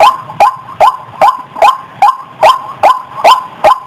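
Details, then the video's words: Female white-breasted waterhen call, used as a lure for trapping: harsh, nasal croaking notes, each with a quick upward inflection, repeated steadily about two and a half times per second, ten notes in all. "SUARA BURUNG RUAK RUAK ,Burung Wak Wak BETINA Masteran"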